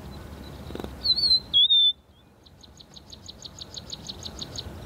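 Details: Very confiding Rufous-naped Lark calling from a large mound of soil used as a song post: a clear two-part whistle, sliding then level, followed by a fast even series of short high pips.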